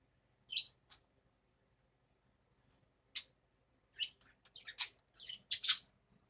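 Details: Morning budgerigar calls: a loud sharp chirp and softer echo, a long pause, then another burst followed by a quick flurry of scratchy squeaks and chirps.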